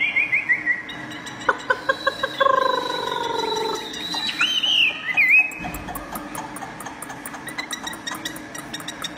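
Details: Tame Chinese hwamei singing at its own reflection in a mirror, having no rival at home: rapid high trills, a run of evenly spaced notes, then looping whistled slurs, with a steady low background hum.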